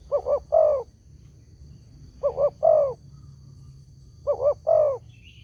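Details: Lure call of a spotted dove that sets other doves answering: three phrases of a short double coo leading into a longer wavering coo, roughly every two seconds, with a faint higher bird note near the end.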